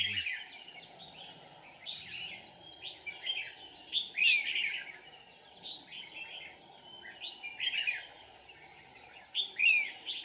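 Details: Decoy red-whiskered bulbul calling during bird trapping in Dong Nai, Vietnam, 7 April 2019. It repeats brief bubbly whistled phrases every second or two, some with sharp downslurred notes, over a constant high insect-like hiss.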